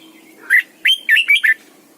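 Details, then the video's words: Morning song of a captive red-whiskered bulbul kept as a lure bird, a double-note song of a mature wild bird used to make other bulbuls sing. Soft note, then four bright, bouncy whistles in a fast run. "luyện chào mào mồi hót sáng cực hay, ép chào mào hót âm kép già rừng hay tuyệt!"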